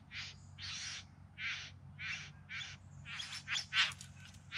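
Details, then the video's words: During a September 2020 courtship display in the Yarra Valley outside Melbourne, a bowerbird gives quieter rasping bursts spaced under a second apart, quickening into closer, sharper notes near the end. "Bowerbirds Singing and Dancing"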